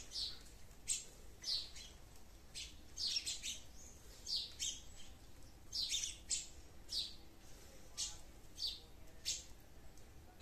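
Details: Sparrows in a garden giving short, bright chirps, repeated about every half second to second with uneven spacing, some notes doubled, over a soft background hiss.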